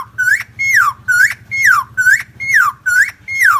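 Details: Helmeted friarbird (Philemon buceroides, endemic to Nusa Tenggara), long lure recording: loud, mellow two-part phrases about every second, a short rising whistle then a higher note slurring down, over a faint low hum.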